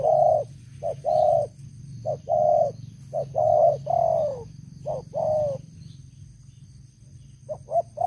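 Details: Caged decoy spotted dove used for luring wild doves, loud-voiced, calls in clustered mellow coos, short clipped notes mixed with longer level ones that droop at the end, then a quiet gap before more coos, over a low hum.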